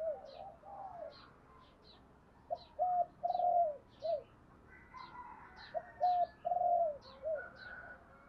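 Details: Spotted dove lure-call recording, used to provoke other doves to coo: two low, hoarse four-note cooing phrases with a drawn-out middle note, separated by a pause, while high thin chirps of small birds sound throughout.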